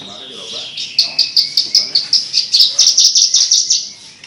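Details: Melodious song of a Javan bush lark: a fast, even series of about fifteen sharp, high chipping notes, delivered roughly four per second after a faint opening warble.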